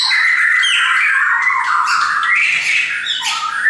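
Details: Pet shamas, several birds caged together, give a continuous run of squealing, warbled whistles, with mid-pitched sliding tones and brief higher bursts near the end.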